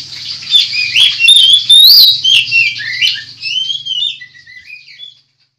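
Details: Oriental magpie-robin song used as a lure to draw other magpie-robins together; loud, varied whistled phrases with sliding notes and quick chirps, high-pitched and continuous, fading toward the end, with a low hum underneath.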